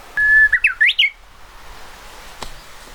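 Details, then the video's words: Japanese bush warbler singing, recorded 31 May 2013: a long, steady whistled note followed by a quick rising and falling flourish, loud and clear over a quiet background. "ウグイスのさえずり Japanese Bush Warbler"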